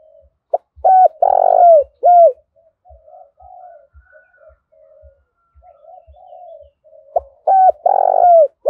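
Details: Spotted dove giving urging and calling coos, used as a lure to draw wild doves and set decoy birds cooing; two loud rounded coo phrases open and close the clip, with softer murmured coos and faint low ticking between.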